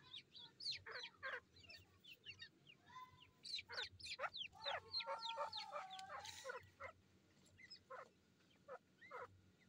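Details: Young grey francolins fighting give loud, sharp, clipped notes in quick uneven bursts, about three per second, with a brief run of lower, drawn-out harmonic tones in the middle of the clip.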